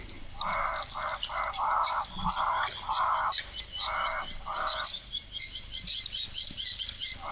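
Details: Blacksmith lapwing alarm at an African waterhole as baboons arrive, an early warning, likely guarding a chick or nest: a rapid run of about eight sharp, metallic clinking notes over five seconds, with thin high chirps from smaller birds behind.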